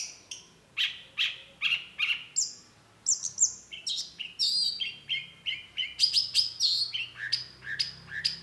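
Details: Long-tailed shrike, called cendet locally, singing a lively varied song: rapid series of harsh high notes and short whistled phrases, many squeaky downslurred elements repeated several times a second, with a quiet background.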